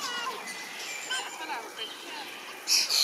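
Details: Common starling fledglings begging while a parent feeds them in a large berry bush; a dense chatter of thin, high, rising and falling whistled squeals overlapping, with a brief sharper burst near the end.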